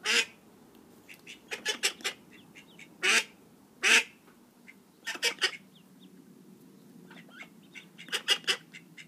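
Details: Young call ducks calling repeatedly, loud rasping broadband notes in irregular clusters mixed with fainter high peeps throughout.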